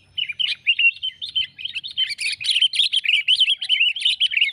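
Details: A sooty-headed bulbul used as a lure call chatters without pause, giving quick, bright, slurred chirps several times a second for the whole stretch. No other sounds intrude.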